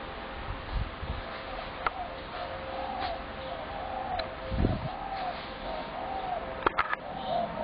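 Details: Spotted doves that have multiplied near houses after heavy feeding, calling almost continually through the day; soft repeated coos run across the clip over low rumble and occasional clicks.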